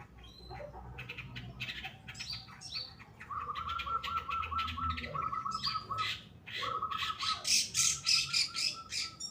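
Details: Long-tailed shrike of the pastol type, a kept bird singing energetically for a training recording: a fast, busy run of scratchy chirps and squawks, then a long series of harsh repeated notes with sharp high whistles near the end.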